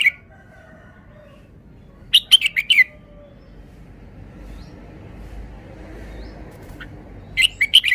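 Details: A red-whiskered bulbul sings rapid, chirpy phrases of four or five ringing notes, spaced roughly five seconds apart, over soft steady background noise.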